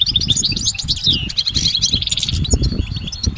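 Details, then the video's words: Goldfinch singing in nature, dense overlapping twitters and a descending whistled slur, lively and full, with noticeable low-pitched rumbling and thumps beneath. "Exceptional recordings of the goldfinch in nature"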